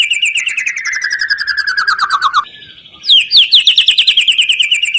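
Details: Lure song of a white-rumped shama for setting other birds singing: a long rapid trill slowly falling in pitch for over two seconds, a short break, then another high, fast trill of clipped notes.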